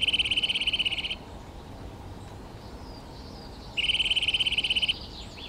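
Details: Rapid, even trill from a Eurasian nuthatch (Sitta europaea), delivered in two bursts of just over a second, several seconds apart. Each burst is a fast stream of identical mid-high notes, with soft background noise between them.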